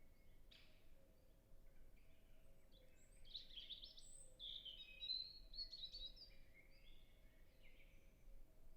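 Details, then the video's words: European robin singing a thin, high, tumbling phrase of varied liquid notes lasting a few seconds, recorded in a nature reserve in early spring, over a steady low hum and background noise. "European Robin Sound"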